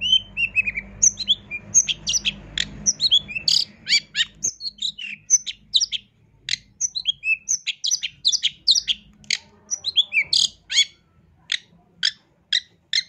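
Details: Long-tailed shrike singing hard with many fill notes: a long, fast medley of sharp chips, slurred whistles and short buzzy phrases, almost without pause.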